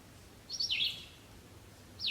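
Red-eyed Vireo singing a short, high, slurred phrase that sweeps down, then a pause before the next phrase starts; faint background hiss.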